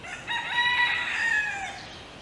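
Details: Rooster in Hawaii crowing to wake a hen: one long, loud, harmonic cock-a-doodle-doo lasting about a second and a half, steady, then falling away at the end, over quiet background.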